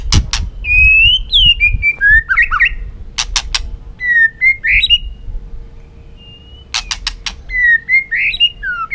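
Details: Caged white-rumped shama in competitive singing: clear whistled phrases, some sliding and warbled, separated by loud clicks, with a faint steady hum behind.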